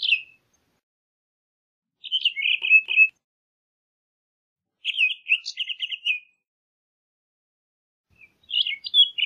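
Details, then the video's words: Townsend's solitaire sings bright, warbling phrases about a second long, jumbled high notes, repeated every three seconds with silent gaps between. "Townsend's Solitaire Song! Townsend's Solitaire Call!"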